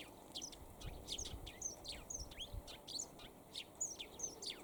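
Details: Eurasian tree sparrow calling from a perch on a sunny day: brisk, high, slurred chirps follow one another closely in an unbroken chatter, with light low background noise.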